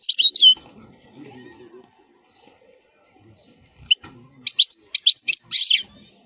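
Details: European goldfinch song in khalwi wild style, for tutoring young goldfinches: a short high burst at the start, a quiet gap with faint low noises, then a run of sharp twittering notes at the end.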